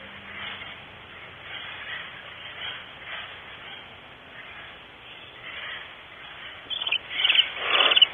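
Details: From a live nest camera at Starr Ranch, barn owls before dawn, 5:45 am, August 2013: quiet breathy rustling, ending in a run of loud harsh hissing bursts.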